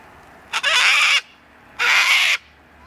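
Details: A sulphur-crested cockatoo (Cacatua galerita) in Tasmania, January/February 2020, gives two harsh, raucous screeches, each over half a second long, about a second apart, with nothing else heard.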